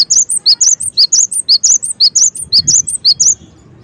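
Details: Continuous high-pitched cinereous tit song, crisp paired notes repeating rhythmically and without a break for over three seconds.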